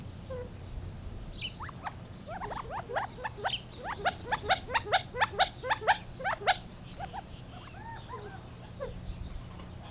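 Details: Gambel's quail calling in a quick rhythmic series of sharp rising notes, about two per second, building louder then fading into scattered softer chips, with a faint low hum.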